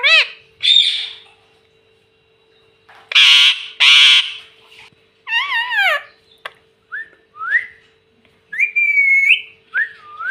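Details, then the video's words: Household parrot that speaks "mummy" and "papa": a string of separate harsh and swooping harmonic calls spread over ten seconds, some buzzy, others clear and wavering, with a steady faint hum behind. "मम्मी पापा बोलता तोता"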